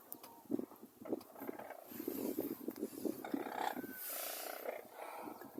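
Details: Brolgas near Longreach, Queensland, Australia, give a run of harsh, trumpeting calls in quick, uneven bursts, some drawn out and more tuneful, with wind noise in the background.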